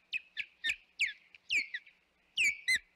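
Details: Osprey at the Hog Island nest on 25 May 2021 gives irregular shrill whistles, several sliding sharply downward, some paired, in bursts over a few seconds.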